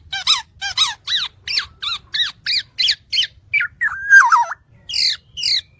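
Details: Black-naped oriole (kepodang) tutor recording: a series of loud, nasal, downward-sliding notes about every third of a second, then a lower, fluty, warbled phrase and a few more harsh notes. Faint low hum beneath.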